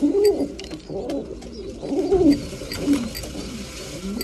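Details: Low rolling coos from breeding pigeons at mealtime, a few distinct rising-falling phrases over soft clicks and shuffling.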